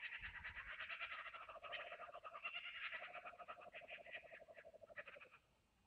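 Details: A little young kookaburra gives a long run of rapid, chuckling notes rising and falling for about five seconds before trailing off, after which the whole kookaburra clan joined in.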